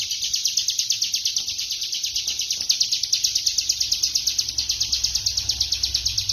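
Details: Dense ngebren song of a bar-winged prinia: high, piercing notes crammed into a relentless trill, swelling in regular beats about three per second, with a faint low hum in the background.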